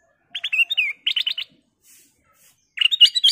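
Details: Golden bulbul (kutilang emas), a lively singing bird used to prompt other birds to sing: bursts of short, bright, rapidly repeated chirping notes in two phrases separated by a pause.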